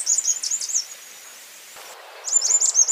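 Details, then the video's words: Slaty flowerpiercer singing a rapid, high-pitched warble of squeaky, slurred chips, two dense bursts split by a short quiet gap. "O canto do Perfurador de flores xistoso ( Diglossa plumbea )"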